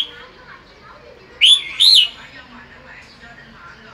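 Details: Afternoon sunbathing red-whiskered bulbul giving bọng song: two loud, rich whistled notes, the second longer and arched, with a quiet pause after.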